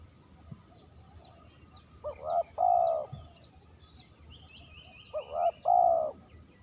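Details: Spotted dove calling as a lure, the two-note phrase given twice about three seconds apart, each a short rising coo followed by a longer level coo, over a busy background of small birds chirping.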